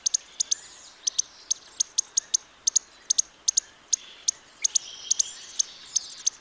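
Costa's hummingbird giving very high, sharp ticking notes, often in quick pairs, repeated irregularly several times a second over a faint hiss.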